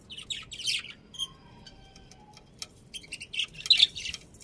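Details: Pet budgerigars with quick bursts of high squeaky chirps at the start, a few brief tonal notes, then a dense patter of sharp chirps toward the end.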